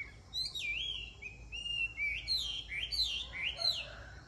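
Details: A Chinese hwamei (Garrulax canorus) of the wild mountain-forest type sings a rich, varied run of loud whistled phrases, sliding up and down and repeating notes in quick succession, over a faint low hum.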